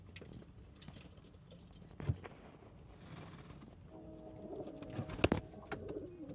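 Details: After scattered knocks and rustles, a pigeon delivers a full, resonant coo with a steady, humming tone, followed by sharp taps and softer murmurs.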